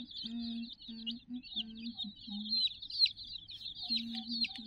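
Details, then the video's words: Sixty-odd chicken chicks, yellow and black, romp around a teddy toy with a continuous high cheeping, backed by a steady low humming tone that switches on and off. "silly chicks chirping"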